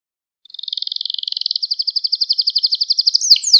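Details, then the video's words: Canary singing, recorded to school young canaries in song: one long rolling trill whose pulses slow and grow more distinct, finishing with sharp sweeping notes. "Müthiş Ders Gibi Kanarya Sesi Ve Ötüşü"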